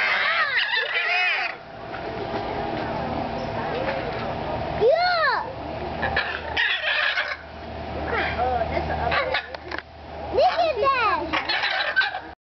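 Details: Blue parrots at a riverbank zoo in Columbia, South Carolina, on 25 September 2010, making a lot of noise: harsh, loud, arched squawks and screeches repeated in ragged bursts, with several birds calling over one another.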